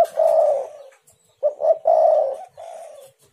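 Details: Spotted dove coo used to provoke other doves: a long mellow coo, then two short notes and another drawn-out coo trailing into a softer ending, close and clear.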